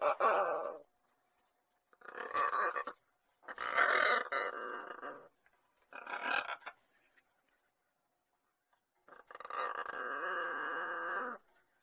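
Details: Pet lorikeet kept indoors, a talking bird, giving a series of hoarse, harmonic, speech-like bursts about a second long, separated by short silences, with a longer drawn-out buzzy sound at the end.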